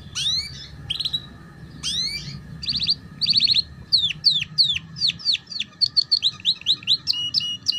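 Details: Canary tutor song in the ngeriwik style for young birds learning to sing. Fast trills and repeated high, downward-sweeping whistled notes speed up into a dense run of chirps, over a faint steady hum.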